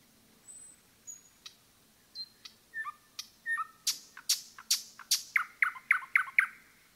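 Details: Forest song of a Common nightingale: soft high whistles and scattered clicks build into sharper slurred notes, then loud explosive strokes and a quick series of repeated chirps, over a faint low background hum.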